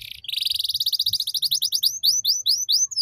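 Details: Canary tutor song to help young canaries learn: a fast, even trill of short notes that slows into spaced, rising, slurred whistles, over a faint low hum.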